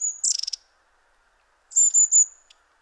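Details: Long-tailed tits moving restlessly at close range in late autumn in Poland; a rapid stuttering buzzy burst, then a pause and three thin high-pitched whistled 'see' notes in quick succession.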